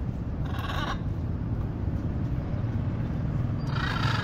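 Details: Free-flying wild macaws in Venezuela that regularly visit a home give two harsh, grating squawks, one early and one at the end, over a steady low rumble of wind or distant traffic.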